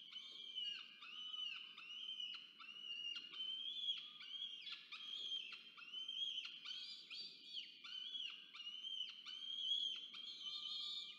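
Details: Nest-box recording from Orange, New South Wales, Australia, 24 October 2022: the male peregrine falcon brings food and the female feeds two chicks. Continuous strained, whining calls, each bending upward, follow one another almost without pause.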